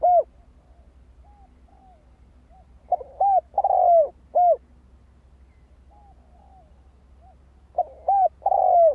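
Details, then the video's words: Spotted dove song recorded to stir up a decoy bird: low, hollow cooing phrases in two bursts about five seconds apart, each a few short coos then a longer falling note, over a faint low hum. "Tiếng chim cu gáy kích mồi cực sung"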